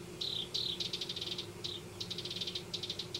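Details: House wren at its nest in a Denver yard, singing two descending slurred notes followed by rapid bubbling trills of high repeated notes.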